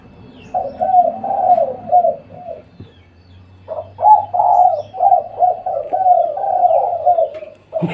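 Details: Spotted dove at home at midday: a phrase of soft, throaty coos, a near-silent pause, then a longer run of louder coos with a low background hum.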